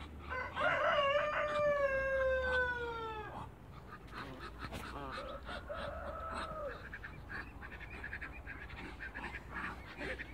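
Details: Two male waterbirds and one female calling as they meet: loud, descending, harmonic honking calls repeated over the first three seconds, then softer, shorter calls over steady background noise.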